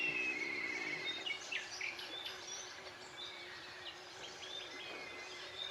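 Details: Sand martins at a nest colony on the Gállego river, Zaragoza, in June: many short, scratchy chirps overlapping in quick succession, some brief thin whistles, over a steady hiss of background noise.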